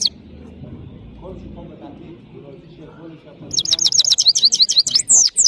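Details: Saira, the European goldfinch of Parachinar, singing: a quiet stretch with low background murmur, then a sudden burst of fast, high, tinkling twitters packed closely together in the final two seconds.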